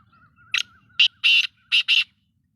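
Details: Black-tailed godwit giving harsh, buzzy bursts in an uneven series: one short note, then a longer grating note, then a quick close pair, over a faint steady whistle and low background rumble.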